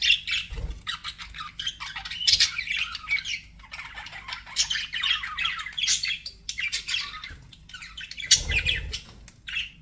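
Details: Budgies kept as pets chatter in choppy bursts of raspy chirps and squeaks, separated by short gaps, with a couple of dull low knocks.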